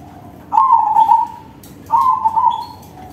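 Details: Zebra dove of crossbred stock (perkutut crossing) delivering big-voiced song: two vibrating, slightly falling cooing phrases of roughly a second each, about 1.4 seconds apart.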